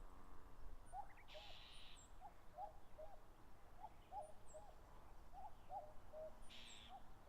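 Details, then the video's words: In late May on grassland at the foot of Mount Fuji, Japan, Common cuckoos trade falling two-note 'cuck-oo' calls in quick, overlapping succession during a territorial dispute, with thin high notes from other birds and brief rustling. "カッコウ 鳴き声 縄張り争いに忙しい"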